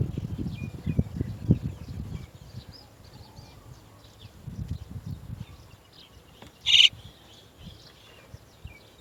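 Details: Chestnut-tailed starling, parent birds leading chicks from the nest; low rumbling and rustling at first, then quiet with faint thin chirps, broken by one loud harsh, scratchy note.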